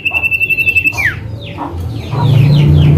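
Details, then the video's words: Male common iora (cipoh) 'calling name' as a lure: a rapid pulsed trill lasting about a second ends in a steep downward slide, then softer falling notes as a loud low hum rises. "Cipoh Manggil Nama"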